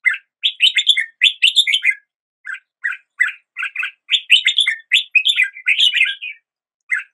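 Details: Red-whiskered bulbul greeting a new day with lively warbling song, clusters of rising and falling chirps in phrases about a second long with brief gaps.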